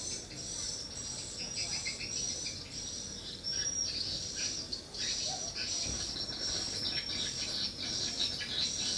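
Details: At a small swiftlet house, responding swiftlets keep up busy high-pitched twittering, short chirps tumbling over one another without pause.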